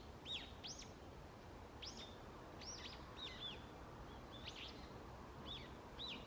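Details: Forest birds at dawn in autumn giving sharp, high chirps and downward-sweeping whistled notes, spaced irregularly about every half second, above a constant low rushing noise.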